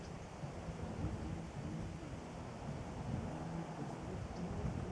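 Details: Steady low rumbling wind and microphone buffeting fill the recording throughout, with no animal voice heard.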